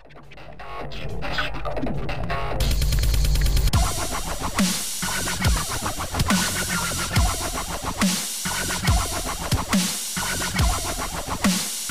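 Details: Heavy electronic dance music with deep bass drops, scratching effects and steady beats throughout; no animal voices can be picked out.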